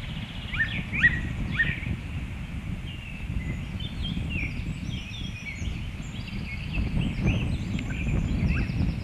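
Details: A bird near its nest gives quick, thin chirps and short downslurred notes that repeat irregularly, with fainter twittering higher up, over a steady low rumble of wind or background noise.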